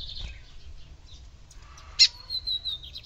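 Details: Lined seedeater female calling to excite a male: a loud sharp chip followed by a thin, steady high whistle that wavers slightly, with faint scattered notes before it.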